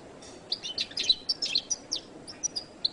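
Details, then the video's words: Jilguero latino goldfinch giving a brief spell of song: scattered high chirps and twittering notes at irregular intervals, moderately loud over a quiet background. "canto de jilguero latino"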